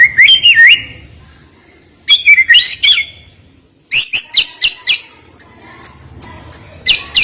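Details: Murai batu phrases with twisting whistled notes, then a burst of high sharp chips and repeated piercing short whistles, separated by brief pauses.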